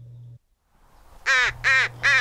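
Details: At a backyard feeder in the western United States in late spring or summer, an American Crow fledgling begs with three loud, harsh, nasal caws, each about a quarter second long, repeated roughly every 0.4 seconds after a low hum.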